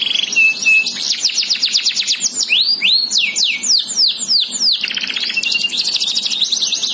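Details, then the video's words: Canary with unique symmetrical facial feathering, singing loudly: short flat whistles, then quick series of high falling chips and broad swooping slurs, ending in buzzy trills; faint background hum. "kenari gacor"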